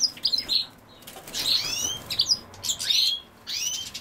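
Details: European goldfinch feeding on sow thistle: bright liquid twittering notes and buzzy slurred chirps in short bursts, mixed with repeated wing flutters and rustling sounds between phrases.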